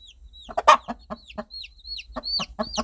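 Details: Mother hen calling her baby chicks, guiding them toward warmth, food and safety; low soft clucks in irregular bursts with a loud double cluck near the start, while chicks answer with high, thin, downward-sliding peeps.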